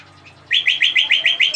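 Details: Flowerpecker singing at full power, a quick series of seven bright, buzzy notes each sliding upward, evenly repeated after a brief quiet start.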